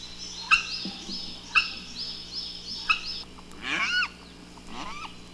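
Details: Marabou stork pair greeting at the nest, bowing to each other after one lands: three sharp clattering bill-rattles about a second apart, then high, wavering squeals that rise and fall.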